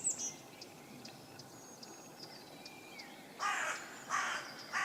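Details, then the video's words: Carrion crow (Corvus corone) up in a tree gives three harsh, hoarse caws about a second apart, with faint thin chirps of small birds in the background. "Crow - Corvus corone - Grákráka"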